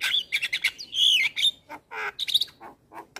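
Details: Full, varied song of a male Black-winged starling, recorded to train young starlings: sweeping whistles rising and falling, mixed with short chirps and lower harsh notes in quick succession.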